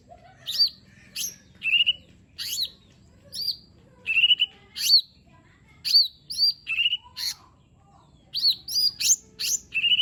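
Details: Lure recording of a lesser green leafbird singing its full repertoire for lazy birds: spaced, clear whistled notes that slide down, plus scratchy chips, arriving in irregular clusters with short pauses between.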